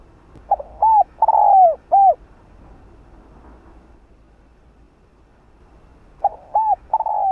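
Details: Hạp bổi style song of a spotted dove, used to rouse caged doves: short coo, long sliding coo and another short coo, silence for about four seconds, then the phrase begins again.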